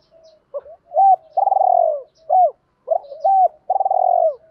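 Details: Spotted dove calling to lure and provoke wild doves: a phrase of two short coos and a long trilled, gently falling coo, repeated twice in quick succession.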